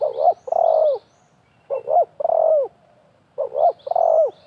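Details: Wild spotted dove answering a decoy dove at a trapping setup with half-circle nets: three clear phrases, each two quick notes and a drawn-out descending coo, spaced roughly a second and a half apart.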